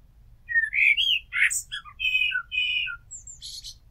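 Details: Common blackbird singing a varied phrase of mellow whistles, scratchy chuckles and sustained fluting notes, ending in a thin high twitter, with a faint low hum underneath.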